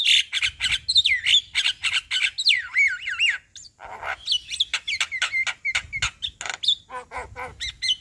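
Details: Javan myna singing its full repertoire in daytime in front of a house: loud varied medley of whistled upslurs, harsh buzzy notes and rapid clicks, phrases packed closely together with a brief pause near the middle.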